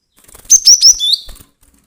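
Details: Cinereous tit (glatik batu) sounding agitated, used as a lure for bird trapping: a quick run of three sharp, high, upslurred chirps, then a slightly lower buzzy note, in a single short burst.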